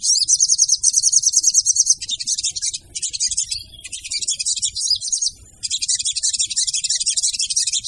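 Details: Crimson sunbird female call used as a lure for other sunbirds, very high, thin rapid twittering in long unbroken runs of about two seconds, with short pauses between bursts and faint low rustling beneath.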